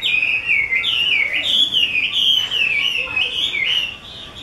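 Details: Caged Chinese hwamei owned by an expert keeper, pouring out a continuous, loud whistled song of looping, wavering notes that rise and fall without a break for over four seconds.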